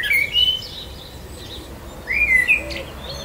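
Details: Great Reed Warbler singing in spring in the Ebro Delta, Spain: two short bursts of high, chattering and whistled notes about two seconds apart, with a faint hiss of background noise between them.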